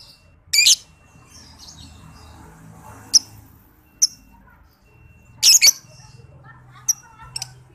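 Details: Lovebird training recording for other lovebirds: sparse, shrill, raspy bursts and thin high clicks at irregular intervals over a low background hum.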